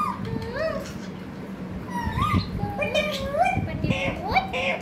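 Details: Talking pet parrot producing a run of speech-like, tonal syllables that bend up and down in pitch, several short phrases in quick succession over a constant low electrical hum.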